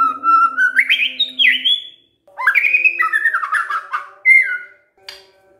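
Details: Shama lure song to draw answering birds: a white-rumped shama gives a rising whistled phrase, then a longer rapid jumble of warbled notes and a final downslurred whistle, with a faint low hum beneath.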